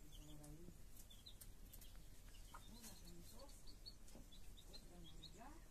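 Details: Mother hen with her chicks gives deep, throaty clucks in short bursts at the start, middle and end. Faint, high chick cheeps are sprinkled between them, against a low background rumble.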